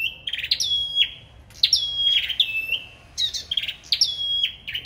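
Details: Competitive sâu đầu đỏ song, tightly packed phrases of high ringing notes that step down to sustained whistles, repeated about every second and a half with little pause.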